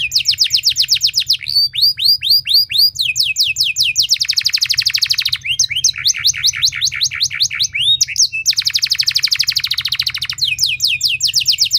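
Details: Canary delivering a long, loud lure song to stimulate other canaries: continuous high singing that alternates dense rapid trills with runs of quick sweeping notes for about twelve seconds.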